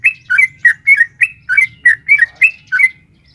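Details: Rapid long song of a female sooty-headed bulbul calling a male, played to provoke caged bulbuls: a tight string of about eleven bubbly whistled chirps in three seconds, then silence, with a faint low hum.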